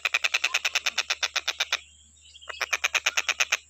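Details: Stork-billed kingfisher (Pelargopsis capensis), call series.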